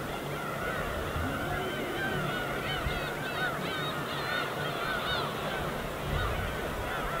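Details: Many gulls call at once over the East Sea in winter, short arched yelping notes tumbling over each other, with soft waves underneath.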